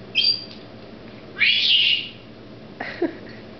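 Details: Indoor pet female Senegal parrot showing off a new word; a short sharp squawk, then a longer loud grating screech, followed by softer low mutterings, with a person talking nearby.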